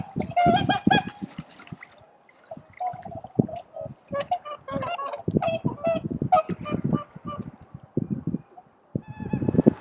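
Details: Swans at Kotoku pond in Japan at dawn: scattered honking calls, loudest at the start and end, over frequent low rumbling wind and handling noise from a camera microphone.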